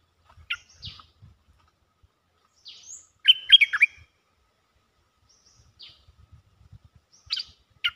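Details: Courtship calling from a cream-vented bulbul: a few sharp high notes, then a short rich cluster of gurgling chatter, followed by quiet sparse notes and two louder final calls.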